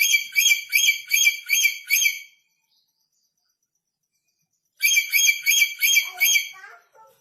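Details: Red lory, newly arrived from North Maluku and still aggressive, makes two runs of about six rapid, harsh, evenly spaced screeches separated by a long silent gap.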